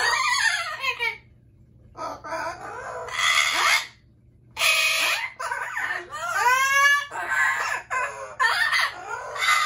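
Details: Amazon parrots screaming almost nonstop: grating broadband shrieks interleaved with bowed, ringing squawks, and only one short pause in the middle.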